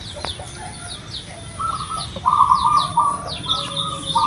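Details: Zebra dove of local stock with a big voice, sung to make a captive bird start singing: rolling, trilled coos that grow louder in the second half, over steady high twittering of other birds.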